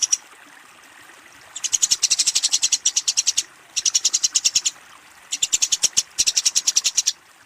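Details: A Eurasian tree sparrow fighting and calling out to a rival gives rapid, harsh, high-pitched chatter in three long bursts of dense chirps with short silent gaps between them.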